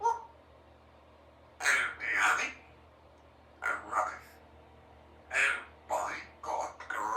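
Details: A 3-year-old female Congo African grey parrot at home practising words, uttering several rapid, speech-like phrases of two or three syllables each, separated by brief pauses, over a low steady hum.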